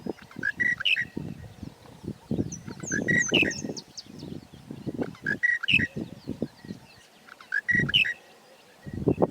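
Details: Monotonous Lark in open grassland of Kruger National Park repeats the same short, squeaky, whistled phrase about every two and a half seconds, its repetitive call carrying across the bush, over low rumbling thumps of wind or handling noise.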